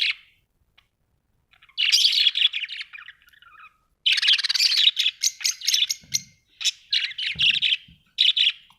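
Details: Budgerigars kept as pets at home, chattering in long buzzy, scratchy chirp sequences with rapid clicking notes, and a few soft low thumps in the background.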